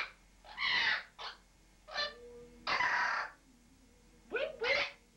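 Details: Pet parrot in a bathroom, possibly reacting to its reflection or to pigeons outside, giving a series of harsh, raspy squawks and shorter nasal calls in irregular bursts, some with falling tonal tails.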